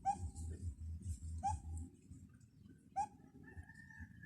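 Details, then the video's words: Bird calling from high in a treetop, heard on the way to a cow: a short, bright upslurred note repeated about every one and a half seconds, over a steady low rhythmic thumping and rumbling background. "CUTE LITTLE BIRD CALLING"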